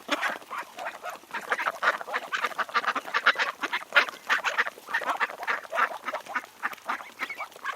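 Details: Ducks and drakes living on Tsnyanskoe Reservoir near Minsk, Belarus, recorded in July, keep up steady, crowded quacking, short nasal calls overlapping without pause.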